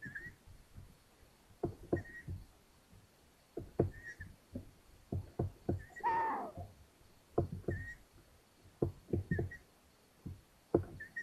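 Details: At a long-eared owl nest in Hungary, 13 May 2022, as the mother hands a mouse to a chick: repeated short, high whistles among frequent knocking and scraping, with one louder rasping burst near the middle.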